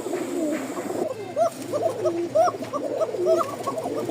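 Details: Several Kokka pigeons at a pigeon market, sold for their long calls, calling together with short, bending, hooting coos repeated about once a second.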